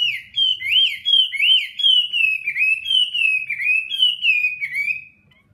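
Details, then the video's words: An old wild-caught hwamei fighting bird, kept for one moult, sings with its tail spread: a loud, continuous run of rich whistled phrases looping up and down in quick slurs about three times a second, with no other sounds. "Họa mi chiến, đơn giản chỉ là hót xòe"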